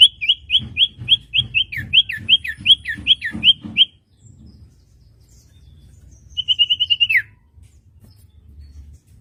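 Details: Common iora song for training wild-caught birds to sing: a quick run of about fourteen whistled notes, some sharply down-slurred, then after a pause a short rapid trill ending in a falling note.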